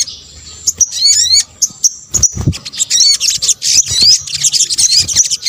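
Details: Sunbird call used for luring, local name sogok ontong, Indonesia: a thin high note, then stacked rising chirps and busy twittering, with a low thump midway.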